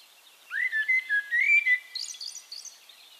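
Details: Singing Eurasian Blackbird recorded in Castricum, the Netherlands, giving one rich, mellow whistled phrase that rises and wavers, followed by a quieter high twittering flourish.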